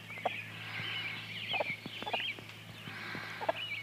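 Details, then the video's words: Mixed-breed Partridge Cochin by Barred Rock chicks at twenty days old following their mother hen; a dense chorus of high trilling peeps runs almost without pause, with low soft clucks underneath and a steady background hum. "Peeps - Partridge Cochin & Barred Rock mix"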